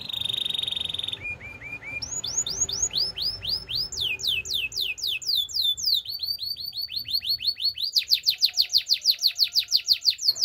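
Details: Belgian canary singing in the morning: a steady trill, soft low notes, then long series of upslurred whistled chirps at shifting pitches, closing in a rapid high rolling tour.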